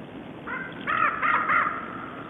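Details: Rapid series of about four rough, croaking caws from a raven at a winter feeding ground it shares with small birds at Siga, recorded 10 January 2012, the calls running together over one second.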